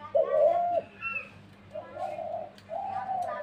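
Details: A dove gives one strong, mellow coo, then softer, longer coos follow, with faint children's voices behind.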